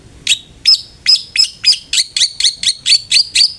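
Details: Long-tailed shrike lure recording for making a kept bird sing: a quick, accelerating sequence of about twelve bright chirps, several tipped with a thin whistled note.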